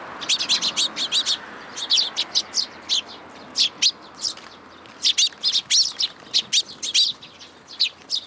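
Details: Fledgling sparrow at a shrine's plum tree in June 2022, coming to be fed; insistent high chirping in quick runs of three to five notes, continuing almost without break.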